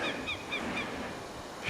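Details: Northern goshawk alarm call near its nest in spring on remote Kodiak Island, Alaska, apparently objecting to people nearby: harsh, repeated kak notes about four per second over steady wind or surf noise.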